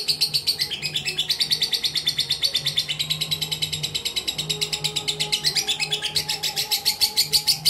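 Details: Long-running mentil song of a fighter lovebird kept uncovered: dense, shrill chattering chirps in a rapid unbroken sequence with small pitch wavers, and a faint low steady hum in the background.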